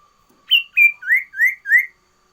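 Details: Sooty-headed bulbul, a loud and persistent singer, giving one varied phrase of five clear whistled notes: two higher steady notes, then three slurred rising-and-falling notes, crisp and even-spaced against a quiet background with a faint steady tone.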